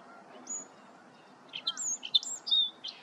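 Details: A song sparrow sings early in the morning at Lower Sardis Lake, Panola County, Mississippi, 19 November 2023, 7:30 am, sunny and cool. A quick jumble of bright, high notes and buzzy trills opens with a clear whistled note, over a soft hiss.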